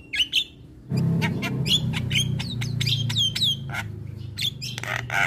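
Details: Javan myna singing actively: sharp whistled notes, then a dense run of harsh chattering and rising and falling whistles over a steady low hum.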